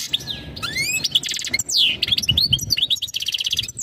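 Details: European goldfinch singing a mating call meant to ready the female for breeding. Rising whistled slurs, buzzy trilled bursts and liquid twitters alternate quickly in an unbroken, busy phrase.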